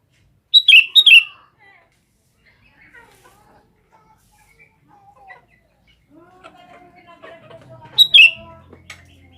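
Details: Sooty-headed bulbul calling for females: two sharp, loud chirps near the start, soft scattered sounds in between, and another sharp pair near the end over a low rumble.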